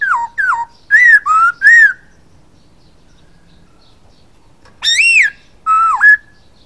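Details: Masked laughingthrush, known locally as poksay hongkong, singing loud clear whistled phrases: a quick run of falling and arched notes, a two-second pause, then two richer rising-falling whistles; quiet background.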